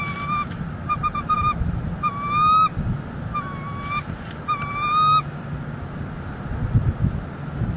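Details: Bald eagles at a Northeast Florida nest, December 2021, as the male brings in dry grasses and takes over the egg; repeated sets of high, shrill, piping chitters roughly every second, fading into quiet hum.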